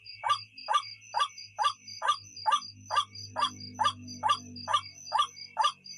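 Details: Night lure recording of a white-breasted waterhen: evenly spaced gruff croaking notes, a little over two per second, accompanied by a continuous high-pitched drone and a faint low hum in the background.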